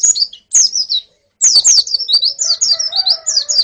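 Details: Female and colony white-eyes calling, used to train a male's song: high, thin whistled notes falling in pitch, in quick bursts with short pauses, later joined by fainter lower tones.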